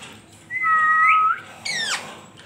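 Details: Natural parrot whistle: a long, steady, pure tone that lifts slightly at its end, then a sharp, bright note sweeping quickly downward.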